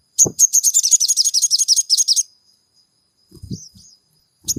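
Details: Crimson sunbird song used as a lure to provoke caged sunbirds into singing: a rapid, high, buzzy trill of repeated chirps lasting about two seconds, followed by a brief pause, a few thin notes and soft knocking sounds.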